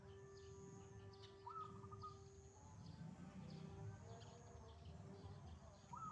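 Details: A wild zebra dove sings in the morning, giving one rising note that runs into quick repeated coos, with a second phrase starting at the very end, over a steady low hum and a constant tone.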